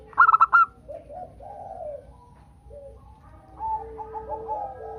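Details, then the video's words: A local zebra dove sings, a recording meant to prompt other doves to sing. One quick rattle of clear notes opens the clip. Quieter, lower, wavering coos from other doves follow. "masteran perkutut lokal - Pancingan perkutut agar bunyi"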